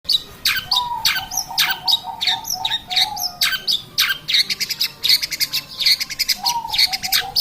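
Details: Long-tailed shrike singing actively, recorded as a lure to prompt other birds to sing: a dense, fast run of sharp chirps and chattering notes in quick bursts, with a low steady tone running underneath.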